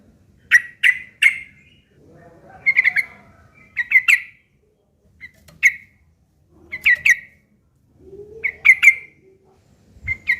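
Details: Yellow-vented bulbul in a fighting-style, harsh chattering song used as a lure to provoke other bulbuls to answer; short bubbly phrases around the mid-high range, separated by pauses of a second or so, with faint low rumbling behind.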